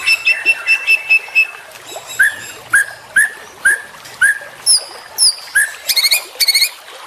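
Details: Juvenile white-rumped shama singing: a run of rapid, even whistled notes, then a series of short upslurred whistles spaced about half a second apart, ending in high buzzy trills and sharp doubled notes.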